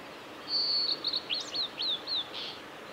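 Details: Male blue-and-white flycatcher, recorded 17 May 2020 on Kanazawa forest road by Lake Miyagase, Japan: a long pure whistle, brief chattered notes, then several quick downward-sweeping slurs and a soft closing burst.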